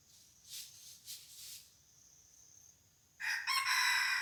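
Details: Red junglefowl used as a decoy to draw in wild birds, at a site revisited after a barking deer appeared there yesterday: soft rustling, then a sudden loud, raspy crow breaking in near the end and cut off mid-call.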